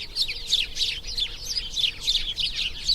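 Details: House sparrow: loud, harsh chirps in quick bursts about every third of a second, several voices overlapping, with a faint steady tone underneath.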